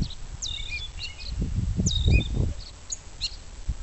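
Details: Gray catbird with a leg band practicing mimicry of other species; two high thin squeaky phrases followed by scattered short chips, partly covered by low rustling and thumping noises.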